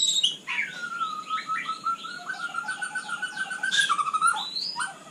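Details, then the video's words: Softer night song of a white-rumped shama, a long run of steady, level whistled notes with faint looping higher tones above and a few sharper accents. "Kicau malam murai batu super GACOR"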